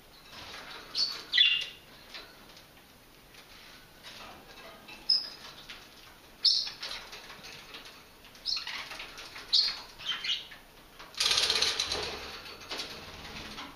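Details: Several budgies give harsh, scratchy squawks and brief chirps in a minor, not serious, squabble over a dandelion leaf.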